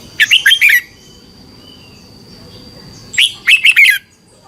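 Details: Thai red-whiskered bulbul song played to train or excite caged birds: two lively warbled phrases about three seconds apart, each of four or five quick looping notes, with a thin steady background tone.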